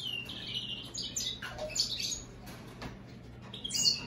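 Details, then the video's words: American goldfinch crossed with European greenfinch, giving a string of high chirps and short twittered phrases with brief gaps, a light hum underneath. "هجين الحسون الامريكي مع الخضري"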